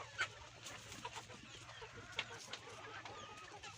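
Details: Chickens, hens and roosters in a farm barnyard coop while trying to lay eggs, give brief sharp squawks with a few short clucks between them, over a steady low hum.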